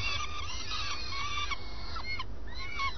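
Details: Early morning at a common swift nest: short, arched nasal calls, then a few fast downward-sliding notes near the end, against a low steady rumble.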